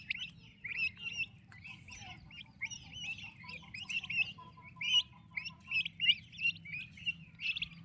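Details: Turkey chicks with their mother: loud, piercing peeps with upward inflection repeated in quick succession, many chicks calling at once, faint steady low drone beneath.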